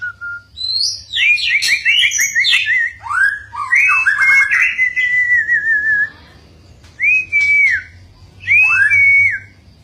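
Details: White-rumped shama singing against its owner, refusing to be outdone: rapid trilled and sliding whistles in a dense phrase, a longer wavering note, then two separate upswept whistles after short pauses.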